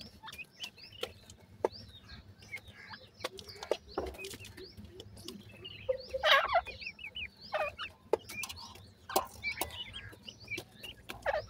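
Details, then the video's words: Grey francolin chicks feeding, giving many short, high, sliding chirps and peeps in quick irregular series, with soft clucking notes and occasional sharp clicks or taps between calls. "gora francolin chicks feeding,teetar ki boli"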